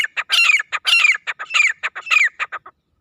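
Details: Wild grey francolin (desi teetar) calling in jungle: loud, harsh, rhythmic phrases repeated about every half second, each with a ringing downward-sliding whistled note between short clipped notes, four phrases in quick succession before stopping.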